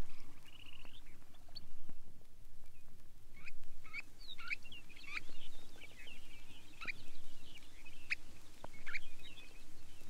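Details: Long-billed Dowitcher from a Soviet sound-guide record of waders: short, sharp, high squeaky notes given singly, roughly once a second, with fainter chattering notes between them. A steady low hum and the crackle of vinyl run underneath.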